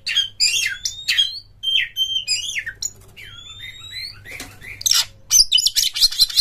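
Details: Lure song of an Oriental magpie-robin in ngeplong style, meant to prompt others to sing: a series of clear whistled notes, some rising and some falling, then a burst of harsh, scratchy high notes near the end.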